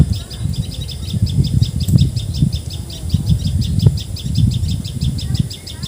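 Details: Common tailorbird (Assamese: patxhia sorai, tiposi sorai) in Assam, India, giving a steady series of shrill repeated notes, roughly three to four per second, partly masked by strong low rumble and a few knocks.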